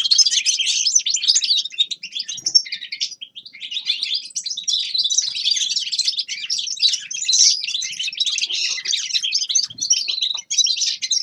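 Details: Steady, energetic warbling by a grey-crowned goldfinch, tinkling high twitters and rattled trills running almost without pause across the whole stretch.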